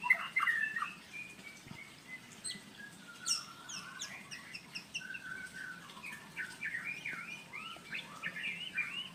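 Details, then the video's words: Courting male white-rumped shama (murai blorok) singing to a female, Indonesia: a rich, varied run of sharp whistles, quick chirps and sweeping slurred notes, delivered in fast phrases with brief pauses, fairly high-pitched throughout. "Murai Jantan Merayu Betina"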